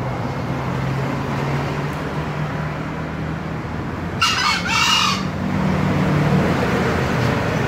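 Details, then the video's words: Green junglefowl gives one abrupt two-syllable crow, hoarse and about a second long, with continuous low-pitched hum throughout. "ayam hutan hijau berkokok"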